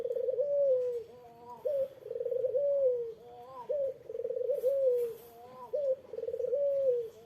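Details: Repeated challenge cooing of a Eurasian collared dove, meant to draw a reply from a rival; three or four low phrases, each a fluttering trill easing into a smooth drawn-out coo, with short pauses between.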